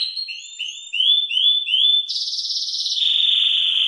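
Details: Belgian canary of the salsa type singing at the start of the day: six repeated rising whistled notes, a loud high buzzy rattle, then a smooth, steady rolling trill.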